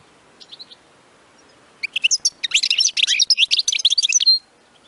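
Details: European goldfinch singing a batbata-style song, used to excite other goldfinches into singing: a few faint high notes, then a dense burst of rapid twittering, buzzy and tinkling notes lasting about two and a half seconds, ending in a drawn-out note.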